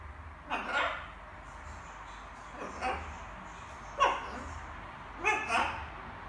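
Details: Practising assorted words in the evening, a small pet macaw gives four short, hoarse, word-like utterances spaced roughly a second or more apart, each a brief raspy burst, in a quiet indoor room.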